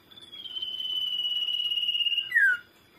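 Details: Common iora song for luring other birds: a sustained vibrating whistle held for about two seconds, then a sharp descending slur to finish.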